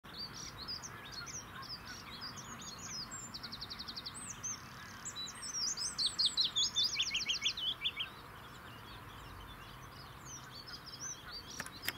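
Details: Willow warbler on 21 April 2019 near Venus Pools, Shropshire: high, sweet descending phrases of soft notes, with other small birds twittering throughout and a low background hiss.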